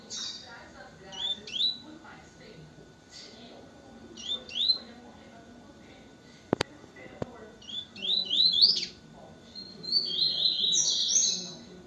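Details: Double-collared seedeater song: short, sharp whistled phrases with quick slurred notes, spaced at first, then a louder, denser run of bright notes near the end. Two sharp clicks midway and a faint low murmur underneath.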